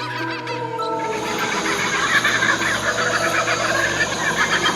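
Laughing Kookaburra breaking into a fast, rolling cackle of chuckling notes that builds over a few seconds, partly masked by a droning musical background.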